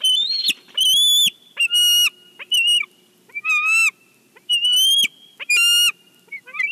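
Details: Bald eagle at its Big Bear nest during a fish delivery, captured by nest camera: loud, piercing, high notes in uneven bursts, some drawn out, ending in soft chatter.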